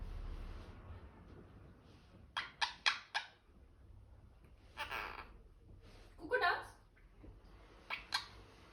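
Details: Pet monk (Quaker) parrot indoors, screaming and quaking: harsh, raspy squawks and chattering bursts in a quiet room.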